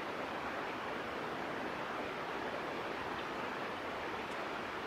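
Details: Even rushing broadband noise like flowing water or wind fills the recording, with no clear animal call.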